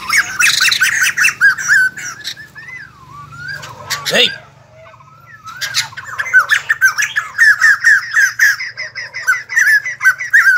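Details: White-crested laughingthrush dancing like a ballet dancer, opening with a loud burst of raucous chatter, then quieter scattered whistles and a low sliding sound, before rapid laughing notes build up again.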